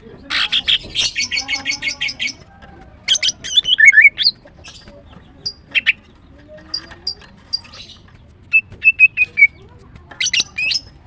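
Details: Female greater green leafbird, known locally as green cucak, singing in the morning: bursts of rapid high chirps, then sharp whistled notes and a run of four clear repeated whistles, ending in a dense twittering flourish.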